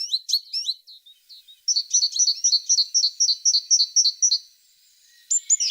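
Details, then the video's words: Tit song: a few quick twisting chirps, then a fast even series of clear double whistled notes about four per second, ending with a thin high call. "The sound of a tit singing"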